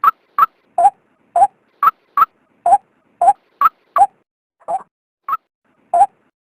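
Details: Female white-breasted waterhen call, played to draw males out for trapping: a long run of clipped croaking notes in pairs of high then low pitch, one slightly fainter mid-run, with a silent background.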